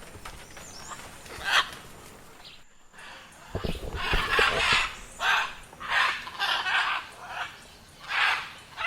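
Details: Scarlet macaw (Ara macao), a social parrot, giving loud, harsh, raucous squawks, roughly one per second in a ragged series, with a few low thumps early on.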